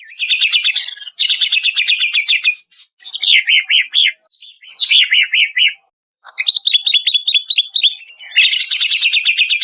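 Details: Banyuwangi-style greater green leafbird (cucak ijo) lure song: rapid rattling trills alternating with down-slurred whistled shots and buzzy rolls, in several bursts separated by brief silences.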